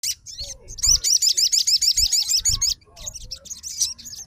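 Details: Fighter sogon reacting at once to another sogon's song: a fast run of high, sharply modulated notes, about three per second, surges in the middle, then looser scattered phrases, with low background rumble.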